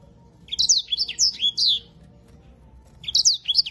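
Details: A yellow-fronted canary, a small African bird kept by bird keepers in Indonesia, sings quick, bright, high chirping phrases of slurred whistled notes, pausing briefly before resuming.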